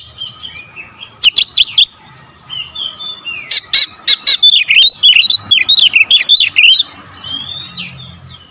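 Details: Magpie-robin in loud, rapid song: a dense run of sharp, whistled notes and rising-falling slurred phrases fired in quick succession, with short softer whistles at the start and end.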